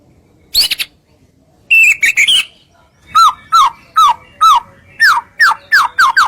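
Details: White-rumped shama, murai batu, singing energetically as bait to make other shamas sing; a harsh buzzy burst, then rich loud whistled phrases descending in pitch, repeated roughly twice per second and quickening at the end.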